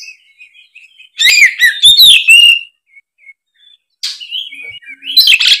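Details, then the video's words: Loud Oriental magpie-robin song used as a provoking lure: faint thin whistles first, then an energetic phrase of sweeping whistled notes and grating buzzes, a quiet pause, and harsh rasping bursts at the end. "suara kacer gacor ngeplong"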